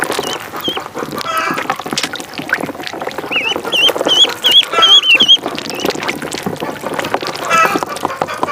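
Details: Pond duckling calling: a quick cluster of bright, upward-hooked peeps near the middle, with sparse single notes before and after amid splashing noise.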